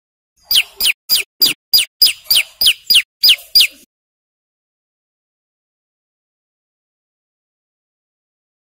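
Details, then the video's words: A male bar-winged prinia singing loud and persistent, used to draw wild birds close: a rapid run of about a dozen high downward-sweeping notes, then silence. "Suara Prenjak Lumut Gacor"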